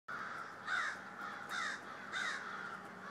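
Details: A noisy flock of crows calling just before snowfall on Friday, December 13: three harsh, rasping caws spaced about three-quarters of a second apart, over a steady background hum.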